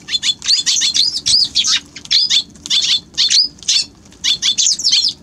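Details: Eurasian tree sparrow chattering, with rapid runs of harsh, high chirps in dense bursts separated by brief pauses, almost continuous throughout, and a faint low hum beneath.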